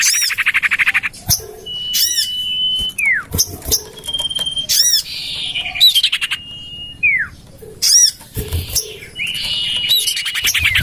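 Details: Common iora lure recording, tried out in a garden next to a home: repeated drawn-out steady whistles dropping into short falling notes, interspersed with sharp arched chips and brief rattles.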